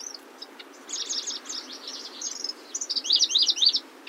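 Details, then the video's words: Grasshopper warbler, genus Locustella, building from soft scattered notes into a run of loud, rapid swooping phrases near the end, background hiss steady. "Сверчок. Голоса птиц"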